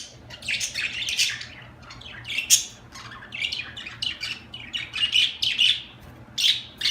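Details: Continuous budgerigar chatter of rasping squawks and quick chirps, loudest bursts spaced roughly every second, over a low steady hum.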